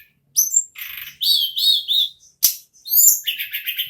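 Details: Ashy tailorbird, called tledekan or sulingan gunung, sings nagen ngerol style: a high whistled start, then a rasping buzzy run, wavering warbled notes and a fast chattering trill at the end.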